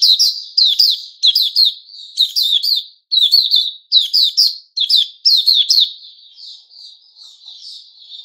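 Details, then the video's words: White-rumped shama recorded on 29 August 2021, loud bright phrases of sharp slurred whistles repeated about once per second, each with crisp high overtones, fading to softer low-volume warbling near the end. "Puteh Raja Sing Buka"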